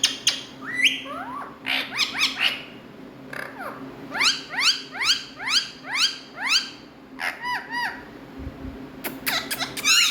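Rose-ringed parakeets give harsh, rasping squawks that sweep up and down, in quick runs of four to six, with sharp high screeches near the end.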